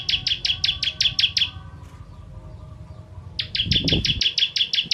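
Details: Bar-winged prinia, known locally as ciblek, in the 'kristal' style with sharp 'tembakan' shots for training birds: quick high staccato notes, a pause of about two seconds, then another rapid burst of chips, with some low knocking sounds.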